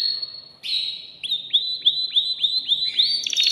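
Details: Caged male canary singing to arouse a female for mating: a long steady whistled note, then a run of repeated rising upslurred whistles about every third of a second, ending in quick high notes.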